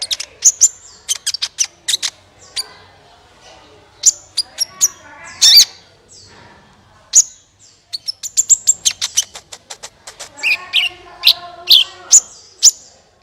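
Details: Energetic sunbird song, played to coax other birds into song: long busy sequence of rapid, very high ticking chirps in bursts, with thin whistles and a few harsher, buzzier notes mixed in.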